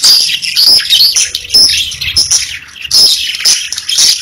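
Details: Pet budgerigars chirping and singing: a dense, continuous stream of high, rapid twitters and squeaky warbles from several birds, with brief dips but no pauses.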